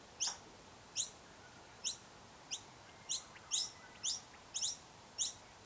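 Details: A Noisy miner (Manorina melanocephala) at its nest gives sharp, high chip notes, roughly one or two a second at an uneven pace, over a faint steady background hiss.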